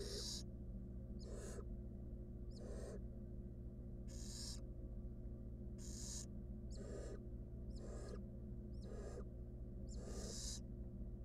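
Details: Barn owl nestling, wild, in a nest box used for research, with a stolen rodent: hoarse hissing screeches at irregular intervals, about nine over eleven seconds, with faint higher chirps and steady hum.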